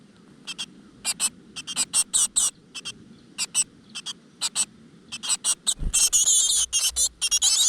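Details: Great tit young in a nest in a rock crevice as the mother arrives with food: scattered hissing bursts build up, a low bump sounds, then a loud continuous harsh chorus of begging.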